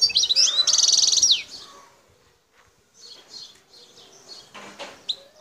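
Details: Wild European goldfinch of Algeria, Bouthelja in El Tarf: a fast twitter opens into a buzzy trill ending in a falling slur, then softer distant chirps and a brief noisy rustle follow.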